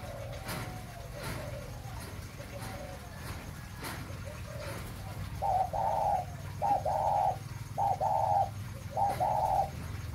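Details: A breeding spotted dove coos: soft low coos at first, then four loud, hoarse, blocky coos about a second apart, over a steady low background hum.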